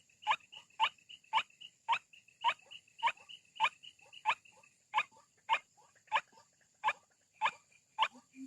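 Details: White-breasted waterhen call played back to lure birds out of bushes: short harsh clipped notes repeated roughly twice a second in an even series, with a thin steady high electronic whine throughout.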